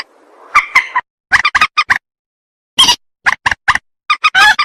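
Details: Rail call used as a lure for trapping: clusters of short, harsh, harmonic notes in quick bursts separated by abrupt silences, with a faint hiss at the start.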